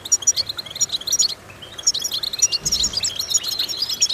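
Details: European goldfinch singing to stimulate other goldfinches, a bright series of sharp tinkling chips and twittered phrases, pausing briefly in the middle before resuming, with a soft low thud.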